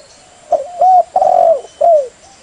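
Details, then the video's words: Terkukur, the spotted dove, used for luring birds: one soft cooing phrase of a short note, a slurred coo, a long rolling middle note and a falling final coo, clear over a light hum. "Suara burung Terkukur"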